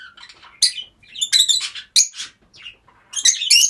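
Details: Several rosy-faced lovebirds kept together as pets give shrill, harsh chirps and squawks in overlapping bursts, with loud clusters near the start, middle and end and brief quieter pauses between them.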